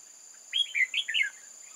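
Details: Red-whiskered bulbul from old forest, used as a trap decoy on 8 October 2018, hopping about. It gives four quick warbled, chirpy notes in a tight burst over a steady high insect whine, with faint background chatter.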